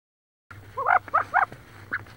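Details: Wood duck hens squabbling inside a nest box near Richland, Washington, where one hen sits on about 18 eggs; three loud, squealing, wavering calls in quick succession, then a softer squeak, over a low steady hum.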